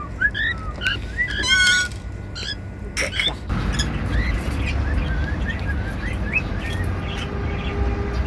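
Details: Several cockatiels kept as pets sing cheerfully while feeding on seeds: short rising whistles and rapid stacked chirps, a loud sharp clatter near three seconds, then a series of soft, evenly spaced whistled notes.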